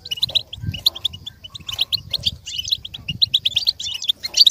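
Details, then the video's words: Goldfinch singing as a model for other goldfinches to learn and imitate: a dense, continuous run of bright, high twittering notes and quick chirps, with faint low rumbling beneath. "With stimulation for the goldfinch to learn and imitate sounds"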